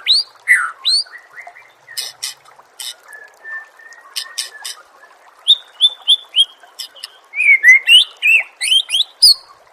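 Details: Murai songbird singing on a training recording meant for competition birds: varied sweet whistles and sharp chips, a run of steady level notes, then a fast burst of high rising and falling whistled phrases.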